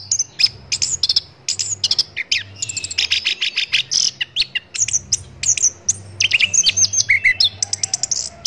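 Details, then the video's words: Orange-headed thrush song used to train songbirds: a long, rich medley of rapid high chips, trills and slurred whistles, delivered in dense bursts with hardly any pause. "MASTERAN ANIS KEMBANG"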